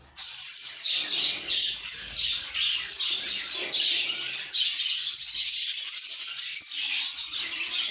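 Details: Lovebirds making happy sounds after a brief silence: a busy chorus of shrill chirps, with some descending squeaky notes rising above the constant twitter.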